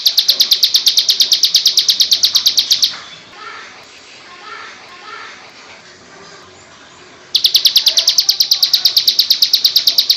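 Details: Ciblek sawah (plain prinia) singing a loud ngebrem for training: quick high buzzing pulses, a gap of some four seconds with faint bird chirps, then the same rapid series again.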